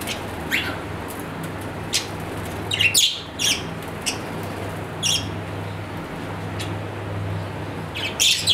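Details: Pet budgerigar giving short, scattered chirps and sharp squeaky notes at irregular intervals over a steady low electrical hum.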